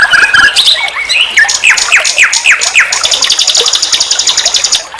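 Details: Training master of nightingale song: mixed whistles and sharp downslurred notes, followed by a long, fast, even high trill.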